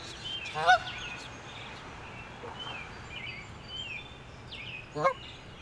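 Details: Two loud, nasal Canada goose honks about four seconds apart, each a brief sliding note, over a steady hiss of rain, at Wyckoff-Zabriskie Pond, New Jersey, on a rainy summer day.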